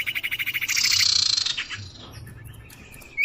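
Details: Lure call of the common iora, used to draw in birds: a fast pulsing rattle that turns into a harsh buzzy stretch, fades, then ends on a short rising whistle.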